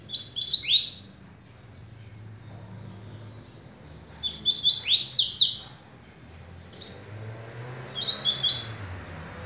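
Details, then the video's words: Patrão double-collared seedeater, described as a velocista, beginning its song: three rapid bursts of high, buzzy, descending slurred notes, the middle one longest, spaced a few seconds apart over a low hum. "Coleiro Patrao começando a cantar"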